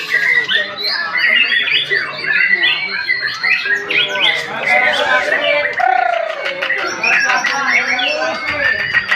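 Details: A one year four month old White-rumped shama delivers a loud, tumbling medley of chirps, squawky notes, trills and whistles, including a drawn-out falling whistle midway and fast clicking near the close.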